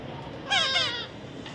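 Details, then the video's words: Baby parrot giving a single harsh, slightly quavering squawk lasting about half a second, with a soft voice calling out just before. "natural funny parrot sound"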